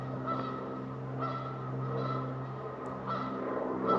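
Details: Canada goose honking in small wetlands at Lake Rebecca Park Reserve, Minnesota, heard on a day hike; short harsh honks about once a second, over a steady low droning hum.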